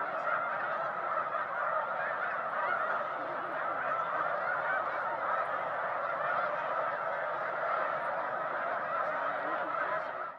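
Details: A huge flock of snow geese covering a lake keeps up a dense, steady roar of overlapping nasal honks and yelps, with no pause from start to finish.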